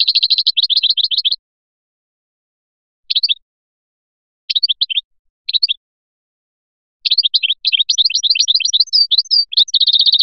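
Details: Fliachi-style song of a European goldfinch from Biskra: a fast run of tinkling trills, brief twittering bursts separated by silences, then a long, dense, jangling phrase ending in a rapid buzzy trill.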